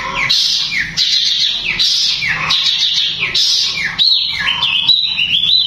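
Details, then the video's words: Long-tailed shrike singing in rapid, dense bursts said to agitate other shrikes and put them in breeding mood. Loud repeated high phrases, each starting with a bright burst and falling into a downward sweep, then quick varied twittering notes. "Cendet Tembakan nya mewah speed rapat bisa bikin cendet lain emosi dan birahi bunyi"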